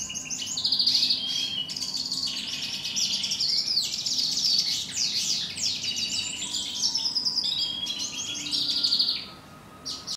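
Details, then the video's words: A Eurasian siskin singing in Kuwait: a fast, unbroken high twitter mixed with buzzy trills and wheezy notes, fading near the end over a faint low hum. "Green siskin singing"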